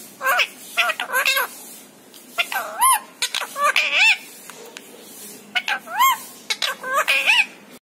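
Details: Parrot imitating speech in rapid runs of wavering, tonal syllables, each sliding up and down in pitch, clustered in quick phrases with short gaps between them, no other sounds evident.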